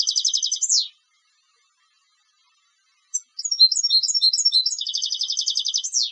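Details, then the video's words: Competition European goldfinch song: a fast rattling trill ending in a descending sweep, then after a pause of about two seconds, varied chirpy notes leading into another rapid trill with a falling flourish. High-pitched and clean, no background sounds. "Canto del Jilguero de Concurso"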